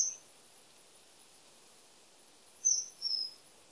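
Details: Common kingfisher: two short, very high, thin whistles in quick succession near the end, after a lone high note at the start, over a soft steady hiss.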